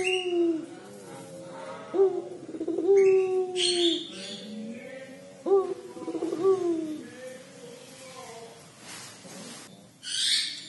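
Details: Puter pelung, the collared dove, crying: a series of low drawn coos, each starting with a short upward flick and stretching into a level tone, with scattered high hissy noises between phrases.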